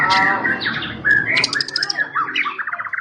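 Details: Champion white-rumped shama singing fast, varied whistles and high trills amid loud, dense background noise, the phrases shifting quickly between clear tones and scratchy chatter.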